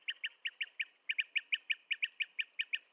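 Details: Blue-tailed bee-eater giving a fast run of short, bright chirps, about five per second, each a slightly downslurred two-part note, steady and evenly spaced throughout against a quiet background.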